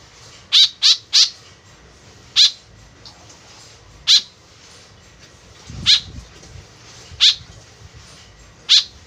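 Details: Lure recording of a white-breasted woodswallow: eight rasping, nasal calls, the first three in a quick run, then single notes spaced one to two seconds apart. A faint low thump sounds midway.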